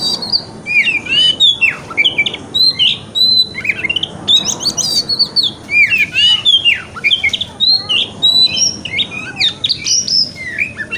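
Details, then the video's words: White-rumped shama in wikplong style, meant as morning therapy to make a shama open its tail: long, rich, energetic song of looping whistles, down-slurred notes and rapid chattering phrases, barely pausing. "Pancingan Kacer Wikplong - Cocok Untuk Terapi Kacer Di Pagi Hari Agar Buka Ekor"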